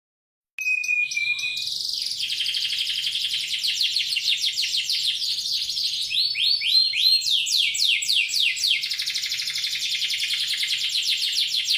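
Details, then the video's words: Newly acquired canary with a loud, far-carrying voice, kept as a master bird for training songbirds; a long, rapid series of high, repeated trills and rising sweeps, with fast note rolls varying in pitch throughout. "Dapat burung kenari baru, suara dan volume nya tembus ❗cocok untuk gacoan/masteran burung kicau."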